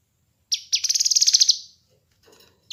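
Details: Kinoi bird used as a master recording to lure and train birds: two sharp opening notes followed by a quick, sparkling trill of evenly pulsed high notes that fades out, then faint rustling.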